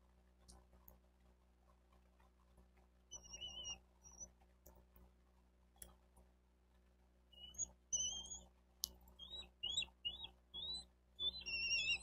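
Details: Bald eagle nest in Miami-Dade County, Florida, 28 May 2023, 11:34: scattered thin whistles early, then a livelier stretch of short, high, rising and falling piping notes in quick uneven series, over low hum and faint clicks.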